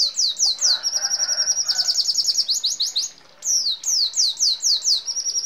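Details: Red siskin delivering rolling song with sparrow and canary-like phrases: descending chips, a rapid high stuttered trill, a short break, then more sharp downslurred notes in quick succession.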